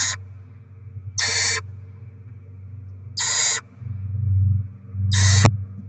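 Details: Barn owls feeding chicks after rodent deliveries, 7 February 2024: four drawn-out, breathy screeching hisses about 1.7 seconds apart, with a steady low hum and a brief scrape near the end.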